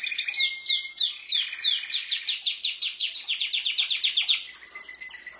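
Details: Pet canary song of rapid descending whistled sweeps repeated several times a second, ending in a steady high held note.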